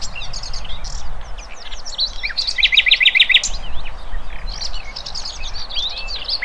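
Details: Birds singing in the wild, a lively mix of sharp high chirps and whistles with a rapid, evenly spaced rattling trill in the middle, set against a low steady noise floor.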